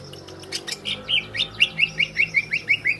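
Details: Greater green leafbird song used as a training or provoking recording: a rapid series of about twelve sharp, evenly spaced chipping whistles, each a quick falling slur, after a few broad clicks.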